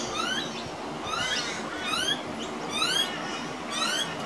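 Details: A juvenile pied butcherbird, one of two, gives squeaky, rising, rasping begging calls in bursts about once a second while an adult feeds it minced beef on a veranda, over a steady background hiss.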